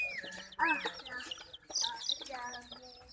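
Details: Terrified chicks under attack from ducklings and a puppy give a loud, harmonic, downward-curving chirp, then scattered high peeps and a brief low tone.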